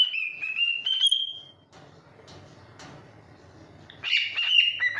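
A cockatiel gives loud, whistled calls that rise slightly, with a quiet pause between bursts.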